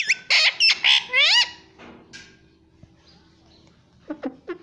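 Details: Pet parrot talking "mummy": loud, harsh, high squawky syllables and a bent tone in rapid succession, then near silence and a few soft notes at the end.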